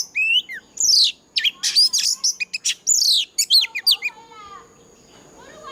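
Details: Oriental magpie-robin, old forest-voiced male style song for stirring other birds into singing; loud bursts of scratchy notes and clear downslurred whistles for four seconds, then quieter with a low steady hum.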